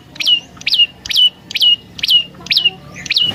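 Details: Lure song of a prinia (prenjak lumut): loud, clear upswept whistled notes, each dropping into a brief flat tail, given in evenly spaced pairs and singles roughly twice a second over a faint low hum.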